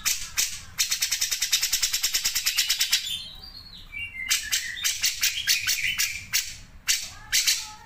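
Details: Grey-cheeked bulbul in full song, sharp 'mesin jahit' style: a rapid machine-gun series of high chips, then gliding whistles and irregular bursts of sharp notes.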